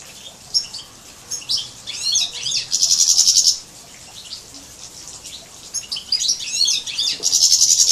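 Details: A canary, possibly a cross, sings high, bright twittering phrases broken by two fast, buzzy rolls of rapidly repeated notes; nothing else is heard.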